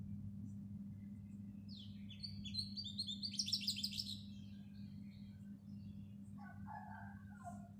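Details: House sparrow chirping: a quick burst of rapid, bright chirps peaking in a dense chattering cluster, then a pause and a few lower, softer chirps near the end, with a constant low hum beneath.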